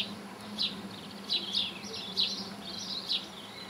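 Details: Linnet, a small finch, close up; high twittering notes with quick rising and falling sweeps, in short bursts about every half second, over faint low background hum.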